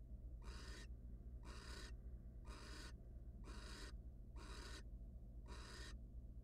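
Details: At a monitored nest box, a wild barn owl pair, the male arriving with prey, gives six rasping broadband hisses at a regular pace of about one per second, with constant low humming behind.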